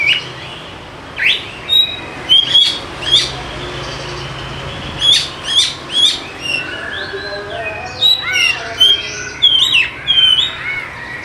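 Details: Oriental magpie-robin used as a lure to prompt reluctant birds to sing: varied whistled phrases with clear pure notes near the top, rising and falling slurs and rapid chirps in bursts, some faint hiss behind.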